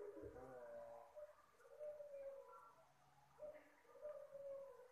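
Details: Puter Pelung dove giving its soft call, used to lure birds: low hollow coos in two drawn-out phrases, the second starting with a short rising note, over faint room noise.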